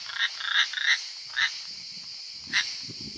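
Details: Nest of European rollers in Italy, with young leaving: a quick run of rough, grating notes, then separate harsh calls about a second apart, against a constant shrill background hum and faint low rustling.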